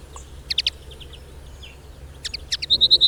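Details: Wild lesser redpoll giving short bursts of two or three sharp, high chattering notes, then a quick series of clipped high notes repeated about five times at the end, over a quiet background.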